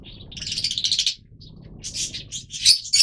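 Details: Twittering, scratchy chatter from yellow-mutation Fischer's lovebirds, a blurred rapid burst followed by a short squeak and a series of sharper shrieks toward the end.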